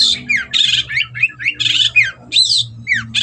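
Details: Cendet, a Long-tailed shrike, singing in lively gacor fashion: harsh, wide-band squawks alternating with swooping downslurred whistles, packed closely together, with a steady low hum in the background.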